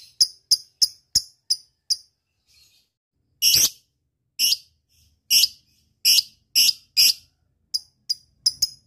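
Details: Lovebird lure for calling a rival: a run of quick dry ticks, then a pause, followed by louder harsh buzzy bursts and a few closing ticks.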